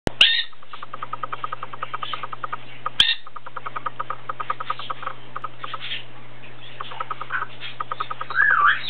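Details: Plum-headed parakeet kept indoors, giving soft rapid chattering ticks in long runs, with a few louder whistled chirps at the start and a looping whistled call near the end, over a steady low electrical hum.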